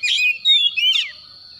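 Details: White-rumped shama calling in the morning: two loud whistled phrases sliding between mid and high pitch, each with a rough chattering burst, then silence.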